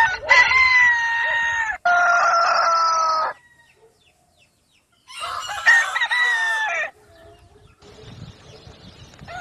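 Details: Crowing rooster at daybreak: two loud harmonic crows in quick succession, a gap of quiet, then a rougher third crow, with faint clucking and soft background noise afterward.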